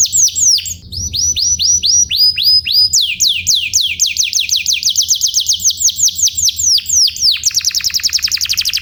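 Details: Canary tutor song for training birds: rapid trills of high descending whistles, shifting between phrases of different pace, then ending in a very fast, dense rattling trill, over a faint low hum.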